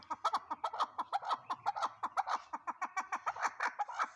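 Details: Chukar partridge calling: a rapid series of clucking chuck notes repeated about five times per second. The notes are steady and rhythmic throughout, with some faint background chatter.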